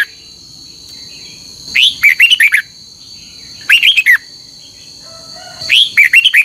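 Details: Red-whiskered bulbul competitive morning song, used as a lure to train and stir other bulbuls to sing: three bursts of quick warbled, rising-falling notes roughly two seconds apart, with a steady high electronic tone behind.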